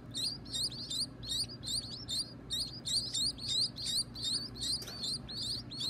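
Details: Baby birds kept by their owner, calling at feeding time: rapid, insistent high chirps with bright overtones, almost three per second in an unbroken run, over a steady low hum.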